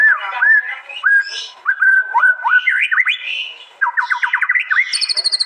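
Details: Murai batu, the white-rumped shama, at an East Java contest in a phone-recorded master compilation: varied upslurred whistles, then a quick rattle of sharp rising notes, ending in a very high rapid series of ringing pips.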